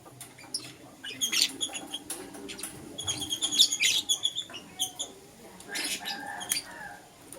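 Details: Green Personata and yellow pastel pied lovebirds chirping in the morning: dense, rapid, high twittering chirps in a busy run, then scattered scratchy calls.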